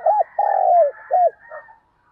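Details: Spotted dove decoy calling at dawn to attract wild doves, an arched hoot, a long rough coo falling at its tail, and a short arched closing note over a faint wash of higher bird twitter.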